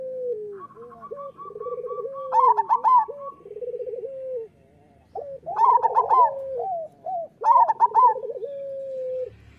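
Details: Local zebra doves singing a master song meant to prompt lazy or moulting doves to sing: quick clipped opening notes, then rolling purred trills and drawn cooing tones. Two singers overlap at lower and higher pitches, in three bursts.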